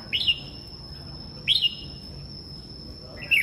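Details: Red-whiskered bulbul in the morning, a kept songbird: three short bright warbled phrases, each a quick rising-falling flourish, spaced about one and a half seconds apart over a steady high electronic tone.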